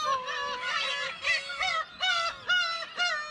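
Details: Black-tailed gulls calling at the Kabushima breeding colony, Hachinohe, Aomori, Japan, 10 June 2020, during the chick season. Clear, drawn-out nasal mews with rich harmonics, repeated about twice a second in a steady series, with other gulls faint behind.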